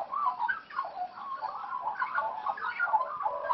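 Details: Wild Australian magpies playing, raised by their parents in the wild; a continuous jumble of warbling, chortling notes and short squeaky phrases, overlapping and rising and falling in quick succession.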